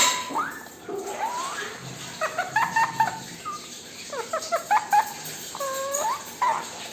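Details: Male pet Indian ringneck parakeet singing while dancing with its owner: whistled notes that sweep up and down, short clusters of rapid chirps, and a few looping rising-falling whistles.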